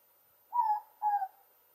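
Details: Morepork, or ruru, calling from the top of a mamaku tree fern at Aongatete: a clear two-note hoot, the first note slightly higher and falling, the second lower, over a quiet background.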